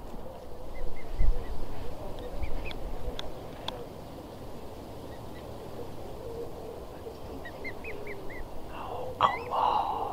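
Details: Cygnet with swans at Newsham Burn Pond, Blyth, 6 June 2016: bursts of thin, high, clipped peeps in short strings, early and again near the end, over low rumbling noise. A loud scuffling burst is heard and people talk nearby.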